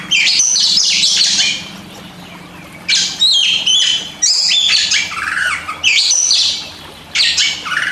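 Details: Caged white-rumped shama (kacer) singing a master song used to train birds that rarely sing: bursts of rich, varied whistles and harsh buzzy notes high in pitch, sung in phrases about two seconds long with short pauses between, faint low hum behind.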